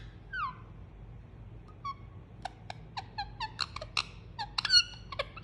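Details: Pet Indian ringneck parakeet during a cuddle, making soothing noises: after a quiet start, one falling whistle, then a cluster of short sharp chirps and squeaks building up in the last three seconds.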